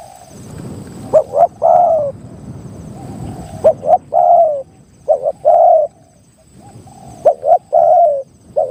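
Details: Spotted dove in a mountain area gives soft, mellow three-part coos about every two to three seconds over a faint hum. It is a wild target bird lured by a caged decoy, and it moved through several trees before settling on a dead tree.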